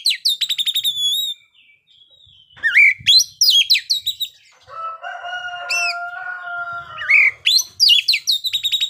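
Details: Oriental magpie-robin 'ngeplay' song recorded at midday to prompt other birds to sing: quick repeated ringing notes, then sweeping whistles, a long steady droning tone, and a return to rapid repeated notes.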